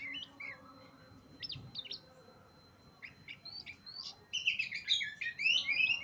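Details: Oriental magpie-robin (kacer) singing at Utan Kayu, Matraman: quiet start with scattered thin whistles, then a loud, rapid run of varied sweeping, chattering whistled notes in the last two seconds, with a steady faint hum underneath.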